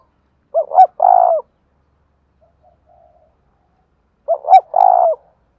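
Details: Spotted dove cooing in the đồng thổ voice style: a short double note followed by a long mellow hoot, delivered twice roughly four seconds apart, with a faint murmur between phrases.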